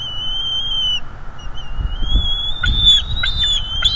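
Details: Male bald eagle calling while attacking an intruder at its nest in North East Florida, captured by a livestream nest camera: a long, thin whistled tone that rises slightly, then a burst of sharp, stuttering chirps with low thumps.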